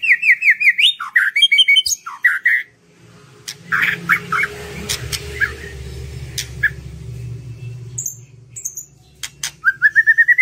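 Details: White-rumped shama song used to stimulate other birds: a rapid run of repeated whistled notes at the start, a long stretch of background noise, then another quick rising series at the end.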